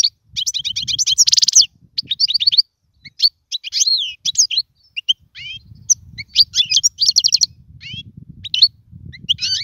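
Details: European goldfinch song used for tutoring young birds: rapid high twittering bursts with buzzy trills and liquid chirps, broken by short pauses, with faint low rumbling underneath.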